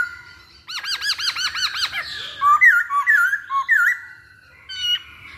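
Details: Masked laughingthrush lure recording used to make birds sing: a quick series of six arched, ringing notes, then a pause and loud squeaky, slurred whistles and chirps, ending with a brief high note.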